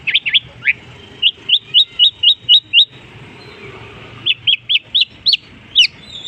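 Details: Mimicking long-tailed shrike giving a series of short, rising, whistled chirps in two bursts separated by a brief pause, each note crisp and evenly spaced.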